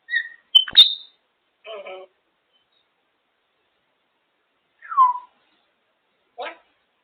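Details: Pet African grey parrot making noises indoors: a sharp click and bright whistle, a short buzzy burst, a slurred falling whistle, and a final brief rasping note, separated by silent gaps.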